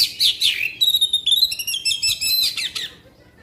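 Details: Black-winged magpie-robin giving a long singing burst to stir rival birds: slurred downward whistles lead into a fast, high, ringing trill of stacked notes that fades at the end.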